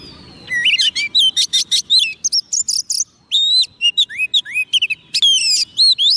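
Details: White-rumped shama raised on soft food, singing readily to call wild birds: a dense run of loud, clear whistled notes, upslurs and downslurs mixed with quick chirps, with short pauses between phrases.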